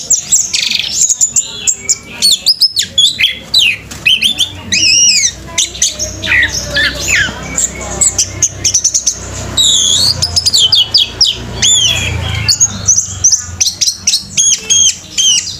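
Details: Orange-headed thrush in full, intense song while spreading its tail and crouching low: a dense, varied run of high whistles, rising and falling slurs and sharp chips, delivered almost without pause.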